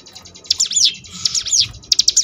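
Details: Cigun singing in the ngebrem style on a tutor recording for contest birds: bright swooping whistled loops, several in quick bursts, with a soft buzz running beneath.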